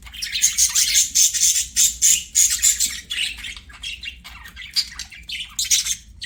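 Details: Budgerigars, several birds singing while playing; dense rapid chattering of buzzy chirps and squawks about 100 per minute, with a sustained high whistled note running through the first three seconds.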